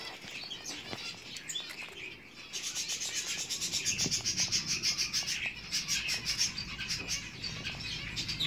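Diamond firetail chicks beg with a fast, rasping, high-pitched chatter, about three or four buzzy pulses a second, rising in intensity after a quieter start.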